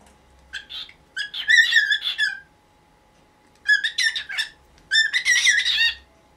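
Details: A pet cockatiel of nineteen years protests in the morning until its cage cloth is moved: three bursts of grating, rapid squawking notes, each about a second long, over a soft low hum.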